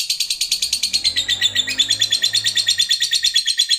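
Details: Lovebird chattering steadily in a fast, high, scratchy series of pulsed notes, about four or five per second, forming an unbroken rattling stream for the whole stretch.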